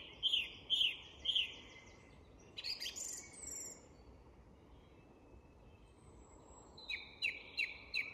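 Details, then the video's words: A song thrush at dusk in an English woodland sings a clear, ringing phrase three times, then a varied burst, then another quick phrase repeated four times over a soft woodland hush. "Recognising Bird Song - The Song Thrush & Dusk Chorus"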